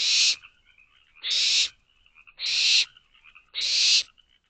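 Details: Four harsh, noisy screech-hisses, evenly spaced about a second apart, from barn owl owlets begging for food inside a nest box at 12:40 am in May.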